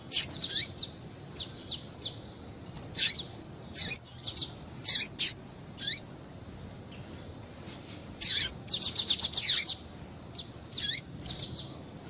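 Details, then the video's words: Female double-collared seedeater call meant to excite and stimulate males into singing: high thin chirps spaced irregularly, then a rapid cluster of repeated notes near the middle, over low hiss. "Piado de Fêmea de Papa capim para Esquentar Papa capim"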